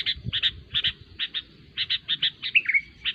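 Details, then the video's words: Sooty-headed bulbul, used as a lure recording for trapping, giving busy repeated short chirps in pairs and clusters at steady intervals, ending in a brief rising and falling whistled phrase; faint low background rumble. "SUARA BURUNG KUTILANG RIBUT"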